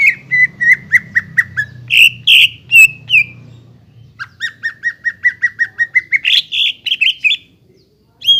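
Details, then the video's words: Greater green leafbird singing to provoke a bird that has stopped singing: runs of rapid, evenly repeated chirps, a louder buzzy phrase in between, and a soft low rumble underneath. "PANCINGAN BURUNG CUCAK IJO YANG MALES BUNYI,MACET BUNYI AGAR GACOR KEMBALI"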